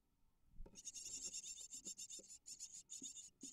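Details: Great tit (Parus major) nest in Israel, March 2022, with eight hungry nestlings hatched 25 March; the parents bring 25–70 prey per hour. The nestlings beg in a high, hissy chorus of rapid chitters, surging several times a second, with soft knocks and rustles.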